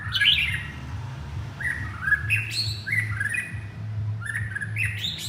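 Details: White-rumped shama, a male, calling to its partner: clear whistled phrases of rising and falling notes, some sweeping up high, repeated in short bursts over a steady low hum.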